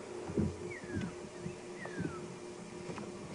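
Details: Pearl-spotted owlet (Glaucidium perlatum) calling on an afternoon game drive at Djuma Game Reserve, June 9, 2015, near a stalking leopard: two clear, descending whistled notes about a second apart, over low rumble and faint bird chatter.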